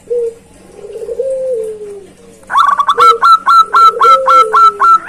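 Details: Zebra dove calling loudly to a rival: a low, drawn-out, slightly falling coo comes first, then a rapid string of higher, clipped notes repeats about four times a second.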